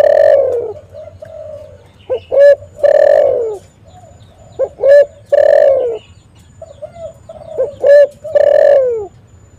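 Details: Spotted dove calling energetically as bait for luring and trapping wild doves: repeated phrases of soft lead-in notes, a short sharp double note and a long loud falling coo, recurring roughly every three seconds.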